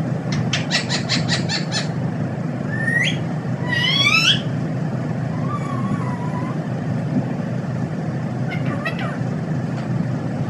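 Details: A pet parrot, said to be talking and saying "mithoo", gives a quick series of short repeated notes, then rising squawky whistles and a lower wavering call, over a constant loud low hum.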